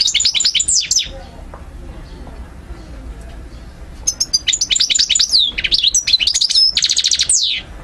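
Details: European goldfinch song for song-learning and stimulation: a short twittering phrase, a quiet pause of about three seconds, then a lively stream of high chirps, slurred whistles and a buzzy trill.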